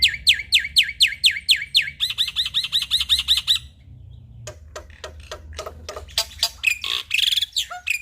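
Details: Male black-winged myna in full song: loud down-slurred whistles about four a second, then a fast buzzy trill, then harsh clicks and squawky notes.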